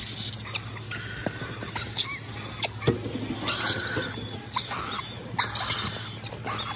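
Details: Rainbow lorikeets at a bird export business give harsh, shrill screeches and squeals in irregular bursts, sometimes several within a second, over a steady low electrical hum.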